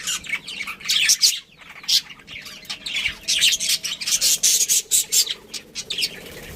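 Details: Budgerigar breeding pair and family chirping: rapid high chattering bursts and warbling squawks, broken by a short pause, with a faint steady hum in the background.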